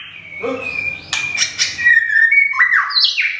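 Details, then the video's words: White-rumped shama in Thailand, recently rehoused and nearly through its moult, gives a long level whistle, sharp clicking notes, then a run of rising and falling whistles. "บินหลาดงทุ่งสง shama bird murai batu"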